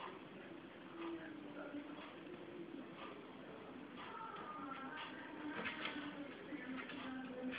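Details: A grey parrot talks in soft, human-like phrases in German, such as "hab nix gemacht" ("didn't do anything"), at a low speaking pitch, with short pauses and a steady faint hiss behind.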